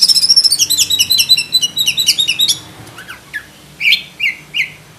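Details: Black-breasted oriental magpie-robin delivering a rapid, pulsing trill of high notes, followed by several separate loud, downslurred whistles.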